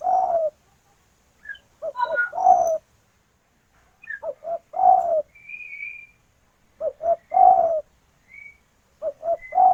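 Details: Local spotted dove (derkuku) female calling to the male, with natural sounds: low soft coos in groups of two or three notes, each group ending on a longer coo, repeated every few seconds, with faint higher chirps of other birds.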